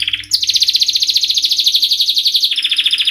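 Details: Canary delivering a rapid, even trill of short high notes at about three per second per beat, slowly sliding lower in pitch, then switching to a slightly lower rolling tour.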